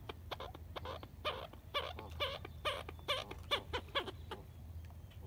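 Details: Ducks at sunrise on the Colorado River, Lake Havasu, near Needles, California, 12 April 2021, phone recording: a rapid run of about a dozen harsh, nasal quacks, two or three per second, over low rumbling water and engine noise.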